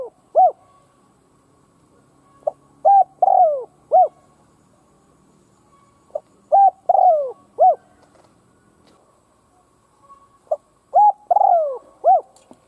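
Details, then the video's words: A captive decoy spotted dove calls to provoke wild doves. It repeats its low cooing phrase three times, roughly every four seconds. Each phrase is a soft note, a level coo, a long descending coo and a final arched coo. "Cu mồi gáy kích bổi chuẩn / Chim cu gáy kích bổi nghe là gáy"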